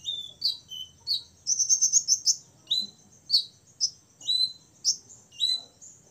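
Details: Six-year-old olive-backed sunbird, kept to provoke rivals, sings high, thin chirps and sweeping notes, with a fast trilled burst in between, over a faint low background hum.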